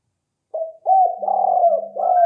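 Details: Spotted dove cooing, used as a lure: a short low hoot, then a run of hoarse, rolling coos with dipping ends that blur into a sustained purring phrase, with a faint steady low tone beneath.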